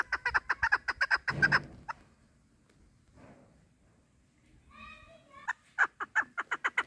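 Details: Female chukar partridge kept for hunting: a burst of fast chucking notes that stops suddenly, a quiet stretch with faint murmurs and a brief nasal sound, then the rapid chuck series resumes.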